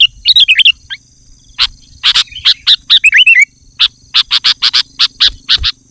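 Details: Sooty-headed bulbul singing loudly and densely, used to lure wild bulbuls and provoke rivals: short harsh broadband notes mixed with quick bubbly warbled phrases, in bursts with brief pauses.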